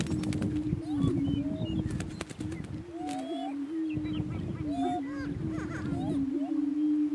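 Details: On a lek in northeast Kansas, Greater Prairie Chicken males battle for dominance: continuous low hooting drone, interrupted by arched whoops and cackles, plus a quick series of sharp clicks early on.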